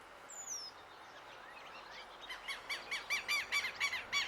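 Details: Hooded siskin singing in an urban setting in Uruguay; after a quiet start comes a fast twittering run of bright chirped notes, about five per second, with a faint high descending whistle early on against low background hiss.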